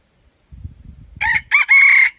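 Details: Red junglefowl crow starts after a stretch of low rustling: a clipped opening burst, then a broken phrase and a drawn-out even final note that ends abruptly.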